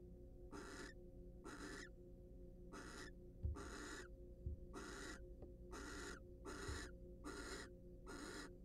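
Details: Nest-box barn owls, wild and preening during courtship, repeat coarse hissing screeches about every 0.7 seconds, with a few soft knocks and a constant low hum.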